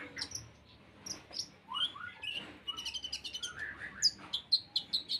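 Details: Song of an olive-backed sunbird that mimics crickets: a fast medley of thin high chips, slurred down-sweeping whistles and a trill-like run, ending in a string of sharp, evenly spaced notes.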